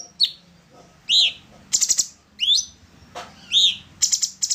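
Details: Orange-bellied leafbird, known locally as cucak cungkok, singing in material meant for training songbirds: sharp downslurred whistles alternate with harsh, buzzy, broadband chattering bursts in an irregular sequence over a faint low background hum.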